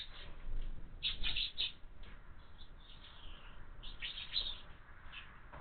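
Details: House sparrow chicks at a feeder mounted on a window. Bursts of high, rapid chirps arrive near the first and fourth seconds, with quieter scattered chirps between them over a low background rumble.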